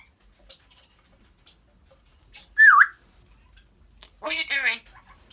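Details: Pet African grey parrot vocalising: one loud whistled note that dips and rises, then a harsh, harmonic chattering burst, with faint clicks in a quiet room.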